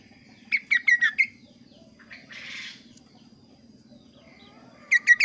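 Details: Kaso-kaso bird in lively, clear, varied song, used as a lure song for other birds: a quick run of four bright, slurred chirps, a short raspy burst, then three more chirps, over a steady low hum.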